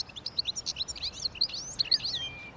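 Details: European goldfinch song in spring in a small garden near a road: a rapid, tinkling twitter of high, liquid chirps and short slurred notes, tumbling along without pause.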